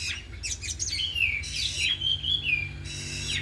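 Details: Four caged kacer (oriental magpie-robins) training in the afternoon, singing and unloading isian mimicry. A brief stretch of scratchy notes leading into smooth, level whistles, with a noticeable low hum behind.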